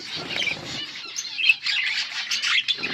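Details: Chirping budgies, August 15, 2024: a short burst of busy, buzzy warbling from several birds, with quick high notes rising and falling and a faint low rustle at start and end.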